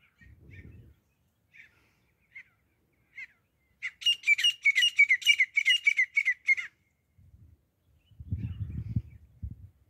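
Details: Grey francolin (desi teeter) in hunting sounds: a few soft scattered notes, then a rapid run of about a dozen harsh, rasping high syllables. The run ends with low rumbling noise.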